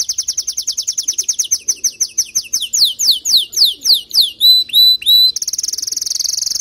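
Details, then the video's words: Male canary song aimed at getting a female to build her nest: a quick series of down-slurred whistles speeding and broadening, a few rising whistles, then a rapid high rattling trill. "أقوى تغريد ذكر كناري لجعل انثى الكناري تلف العش بسرعه"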